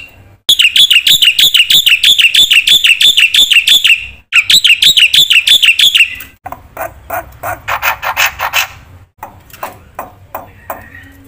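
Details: Black-winged myna in 'gacor full isian' song for tutoring quiet birds: two long bursts of fast, regular, wavering whistled notes, followed by softer scratchy chatter and a few scattered chirps.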